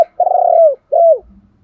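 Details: Spotted dove kept as a decoy, calling to rouse wild doves: two loud, smooth hooting coos, the first long and slightly quavering, the second shorter and falling.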